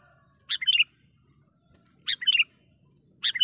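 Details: Sooty-headed bulbul (Pycnonotus aurigaster) lure call for attracting wild bulbuls for trapping: short bubbly phrases of three or four quick liquid notes, repeated every second or so over a steady high insect hiss.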